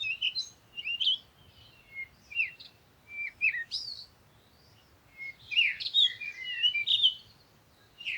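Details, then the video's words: High-pitched bird twittering: scattered chirps and short whistled slurs, then a longer, busier warbling passage near the end. "Sound of the Birds"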